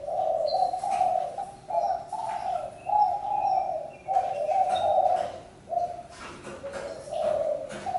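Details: Spotted dove cooing in a steady run of low, hoarse, mellow notes, each about half a second to a second long, separated by short gaps. Faint thin high chirps from other small birds are heard in the background.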